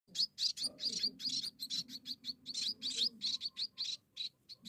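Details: Munia chicks begging while being fed by hand, giving rapid high, thin chirps about two or three per second, with a low background hum underneath.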